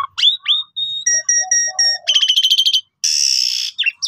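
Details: Pied myna song meant to make other birds reply: rising whistles, a run of evenly repeated two-tone notes, a fast pulsed rattle and a long harsh hissing burst.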